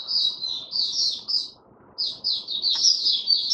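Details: Male white-eye (Mata Puteh) stabilising its form with an opening song, dated 08012022: two bursts of high, jumbled twittering separated by a short silence, over a soft background rumble.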